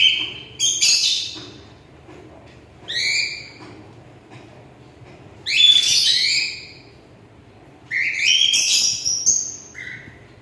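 A cockatiel gives shrill, rasping chirps and whistles in bursts separated by short pauses.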